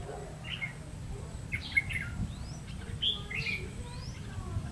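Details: Red-whiskered bulbul of the ché type, a decoy bird singing to lure wild bulbuls during trapping on 30 May 2016; short bright chirped and warbled notes in scattered phrases over a low steady hum.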